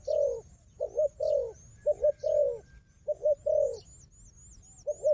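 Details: Fighting wild dove facing a decoy bird: paired hollow coos, a brief note then a drawn-out falling one, spaced by short pauses, with faint high twittering of other birds overhead.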